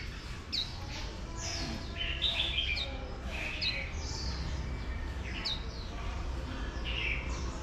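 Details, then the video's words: Female oriental white-eye stimulating a wild-caught male into líu singing, giving scattered high falling notes and short twittered phrases over a steady low hum. "Khuyên Mái Kích Trống Bổi Líu Cực Nhạy"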